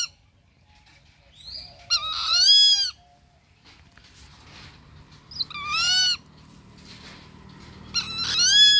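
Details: Rufous-winged buzzard repeating a loud, harsh, arching call three times at intervals of about three seconds, each call strongly layered with overtones, with a soft low rumble and faint background chirps.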